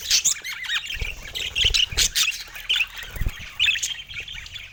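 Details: Budgerigars kept as pets chatter on a sunny San Diego morning, giving short squawky chirps and quick twittering bursts in an uneven, lively stream, with a few soft low thumps beneath.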